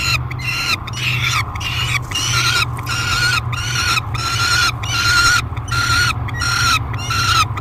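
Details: At the Great Spirit Bluff falcon nest box on July 3, 2021, a peregrine falcon screams during feeding: hoarse, buzzy screams come roughly every two-thirds of a second, over a low hum.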